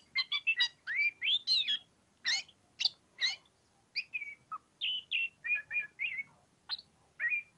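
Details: Oriental magpie-robin singing ngobra: rich varied whistles, fast slurred notes and sharp chips in short bursts separated by brief silences, clear against a quiet background.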